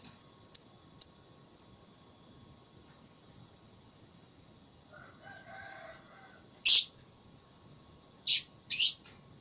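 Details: Lovebird at a singing contest, with three evenly spaced sharp chirps, a faint lower drawn-out call in the background, then a loud rasping note and two further harsh bursts.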